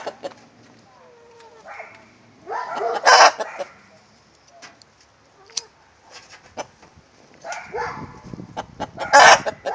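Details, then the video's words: Domestic rooster and hen giving the egg song: scattered soft clucks building to two loud, raspy squawk bursts several seconds apart, with quieter calls between. "Rooster singing the egg song!"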